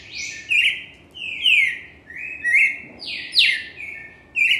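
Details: Cardinal singing: loud, clear whistled phrases that slide downward, each phrase about a second long with brief upslurred flourishes, repeated roughly once a second over a soft background hiss.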